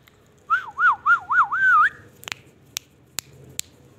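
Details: Indian ringneck parakeet giving a run of five looping, wavering whistles rising and falling, the last one longer and higher, followed by a few sharp clicks and taps in a quiet room.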